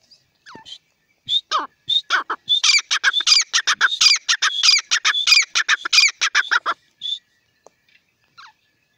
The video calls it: best partridge sound . teetar ki awaz. francolins voice